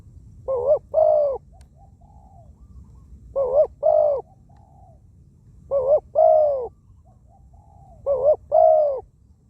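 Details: Ground-decoy spotted dove, a wild bird kept for luring, cooing often; four evenly spaced phrases about every two and a half seconds, each a doubled short note, a long coo and soft trailing notes.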